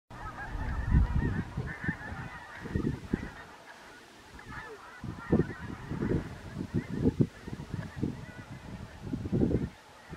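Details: A flock of pink-footed geese at Stiffkey, Norfolk, on 18 October 2020 keeps up a continuous chorus of overlapping honks and higher yelping calls, rising and falling in bursts every second or so.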